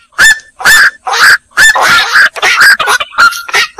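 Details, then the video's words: Black-crowned night heron calling with a string of about eight harsh, grating squawks, each short and abrupt, closely spaced and uneven in rhythm. "suara burung koak"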